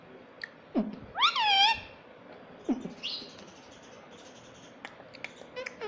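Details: Pet rose-ringed parakeet saying mummy: a short upward swoop, then a loud, bending harmonic syllable over a steady hiss, followed by softer swoops and scattered clicks.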